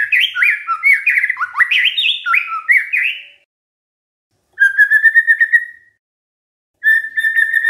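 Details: A white-rumped shama sings as a lure to get other shamas to answer, with a rapid sequence of bright looping whistles, then after silence two steady buzzy whistled notes.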